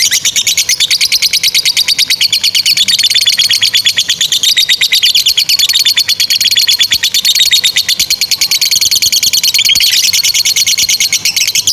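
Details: Extended ngekek trill from a lovebird, used as a model for training young lovebirds and ones that no longer sing; a long, unbroken run of quick, evenly spaced high notes at a steady pitch.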